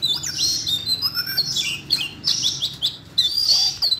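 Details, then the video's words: Siberian rubythroat singing in captivity after hearing training audio for a young bird: dense high chattering phrases mixing thin whistles and sharp chirps, delivered in quick successive bursts. "chú oanh cổ đỏ nổi hứng hót chuyện"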